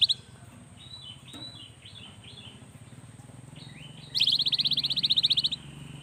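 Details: Cinereous tit, a young singer played to get lazy birds singing; soft scattered notes against background noise, then a loud rapid trill of even pulses lasting about a second and a half.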